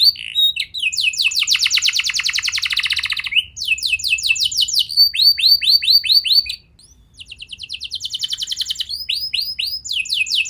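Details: Canary song used as a lure to get young canaries singing: loud, high, rapid trills, some buzzy and some of repeated rising notes, switching between phrases with a short pause midway.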